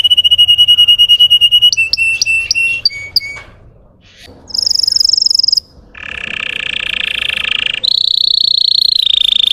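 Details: Russian canary lure song for untrained birds: repeated whistled notes, a brief high trill, a rough low rolling tour, then a bright high rolling tour.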